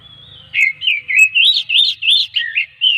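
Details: Oriental magpie-robin song, played to lure other magpie-robins into singing: a long thin whistle, then a fast run of bright, looping whistled notes, several each second.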